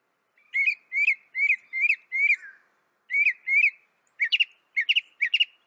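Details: Northern mockingbird singing, a North American bird: a series of five whistled, slightly rising notes, a short pause, then two more, followed by sharper doubled chips.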